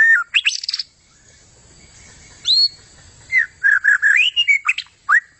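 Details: White-rumped shama singing energetically: clear whistled slurs, a high rising note, then a quick run of varied whistles and chips after a short pause.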